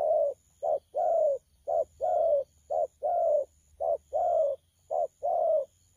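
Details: Cooing of a young spotted dove (bổi), thổ pha style, 12 October 2019: steady run of five short-long coo pairs, deep and mellow, the longer notes gently falling, evenly spaced.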